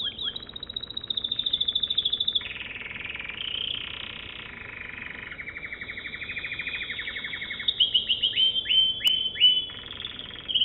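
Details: Long American Singer canary song moving through several tours: a rapid high trill, a lower throbbing roll, a steady bubbling passage, then fast, sharp descending chips near the end.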